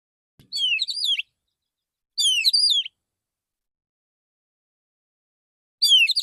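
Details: Male white-rumped shama sings in the morning, relaxed, calling other shamas: three high phrases of warbled, sliding whistles and twitters, each under a second, with long pauses between.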